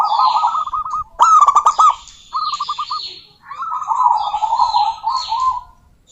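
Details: Vocal local female zebra dove calling a rival: four bursts of fast, rolling cooing trills, some softly descending, with a sudden click sequence early on.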